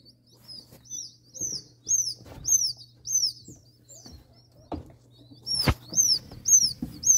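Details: Newly hatched ring-necked pheasant chicks, sixty pulled from an incubator, hatched from eggs from Nebraska; loud, high, downslurred whistled peeps repeated irregularly, about two per second, with a steady low hum and occasional bumps behind.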